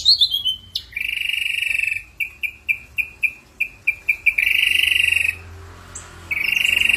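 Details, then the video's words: Ashy drongo singing varied filler phrases: a falling whistle, then buzzy bands alternating with a quick series of short, clipped notes repeated about four times a second, ending in renewed buzzy trills. "suara srigunting abu abu gacor"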